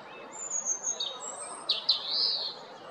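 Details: Wild European robin, Jarun in Zagreb, Croatia, mid-April 2022: a clear phrase of very high, thin drawn-out whistles followed by quick sliding notes and a warbling flourish, sweet and tinkling, against faint ambient noise.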